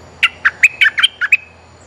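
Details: Decoy bulbul calling to draw in females: a quick series of about eight clear, whistled notes, alternating higher and lower, with a low steady hum underneath.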